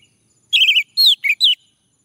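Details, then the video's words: Male orange-headed thrush prompted to sing: four rich whistled phrases, a warbled opening, a falling slur, a short low note, and a final bright falling whistle. "Anis merah jantan, agar bunyi"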